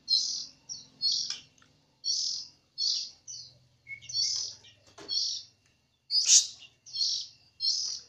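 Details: White-rumped shama from Jambi delivering canary-style material: a steady series of bright, high chirped notes, roughly two per second, with a faint low hum beneath.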